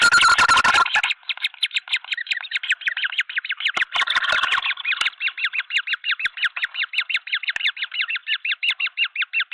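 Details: At a green wood hoopoe nest in Pretoria, South Africa, in February, with three chicks fed by the entire flock: after a loud rustling burst, a long, fast run of arched, cackling notes follows at an even pace, with brief scuffling midway.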